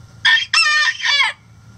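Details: Chicken crowing: a brief loud opening burst, a short gap, then a longer harmonic phrase that wavers and drops at the end, all in under two seconds against quiet background hum.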